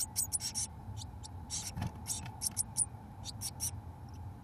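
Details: Eurasian blue tit chicks, 17 days old, in a nest box being fed mealworms by both parents; short, high, hissing and scratchy bursts come in quick irregular succession over a steady low hum.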